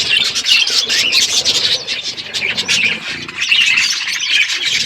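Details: Parrot at its food on February 25, 2024: loud, dense high chirps and short squawky notes crowd together without pause.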